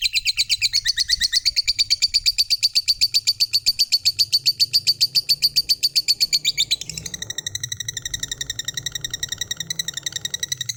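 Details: Fighter lovebird in full ngekek panjang, a long trill said to make any lovebird respond. Fast rattling notes, about eight per second, flow on for nearly seven seconds, then shift to a harsher, broader chatter that keeps going.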